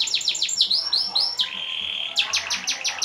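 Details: Canary song for bird training: quick falling high notes, a few rising slurred whistles, a held flat whistle, then fast sharp chirps.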